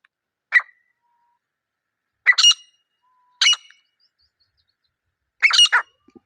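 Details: Wild pair of grey francolins recorded in their natural surroundings: four separate harsh, buzzy call notes spaced one to two seconds apart, each a short burst with a clipped ending, against silence.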